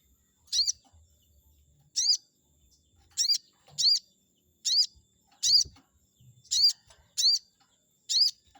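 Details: Chestnut-backed scimitar babbler recorded to provoke a rival into responding: nine high, squeaky, upswept notes, irregularly spaced about a second apart, with a few faint low knocks.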